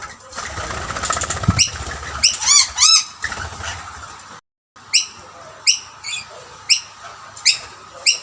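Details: Several rainbow lorikeets at food plates, one dominant male driving others away; a burst of rapid, ringing chattering notes, a brief silence, then evenly spaced harsh screeches about every 0.6 seconds.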